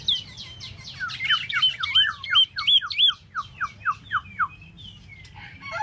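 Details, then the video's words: Solo song of a tieu mi bird: quick, clear whistled phrases of rising and falling slurs, five or six loud notes a second, ending in softer scattered chirps over a faint low hum. "Tieu mi de ban choi solo"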